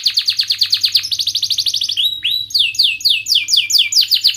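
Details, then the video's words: Sharp rolling song of a canary played to teach young canaries to sing: quick strings of bright descending chirps, a brief rising whistle, then more rapid chirp series, loud and continuous over a soft low hum. "Kenari Gacor Cuit cuit Ngerol TAJAM"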